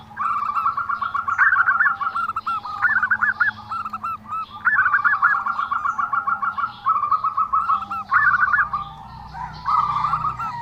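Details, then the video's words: Zebra dove with an unusual voice, giving a steady run of quick rolling coo trills, each phrase a string of clipped beats, with a few higher rising notes at phrase starts. "perkutut suara aneh"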